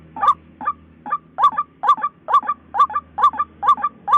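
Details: White-breasted waterhen giving rhythmic, croaking double-edged notes roughly every half second, each gruff and nasal, over a faint low background hum.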